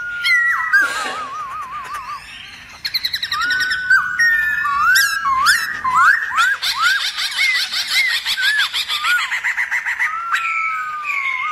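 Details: Forest-style Black-throated laughingthrush song intended to stir other laughingthrushes: a warbling trill, a pause, then varied sharp rising whistles and a long rapid chattering sequence before a closing glide.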